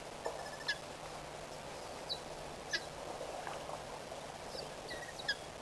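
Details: White-fronted bee-eaters at Pete's Pond, 7 November 2012, give short scattered chirping notes, about eight in six seconds, over a steady outdoor hiss.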